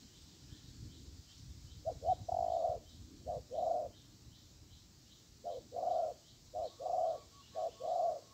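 Spotted dove cooing in soft, hollow phrases of two or three short notes ending on a longer drawn-out coo, repeated every second or two over a faint hiss.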